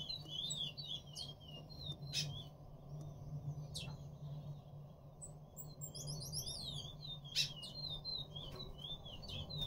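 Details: Picolet courting a female gives repeated short high whistled phrases and a rapid buzzy run of notes, with clicks and a low steady hum beneath.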